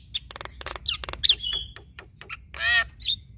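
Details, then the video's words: Short burst from a male and female Javan myna duet: quick clicks and ticks, a piercing whistled note, then a harsh buzzy squawk near the end. "Duet Jalak Kebo Fenomenal Jalak Kebo Jantan Dan Betina"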